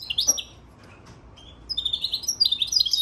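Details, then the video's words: European goldfinch crossed with Timbrado canary, March 3, 2024: a quick high chirp at the start, a near-silent gap, then an accelerating run of bright twittering and whistled notes. "European Goldfinch crossed with Timbrado canary"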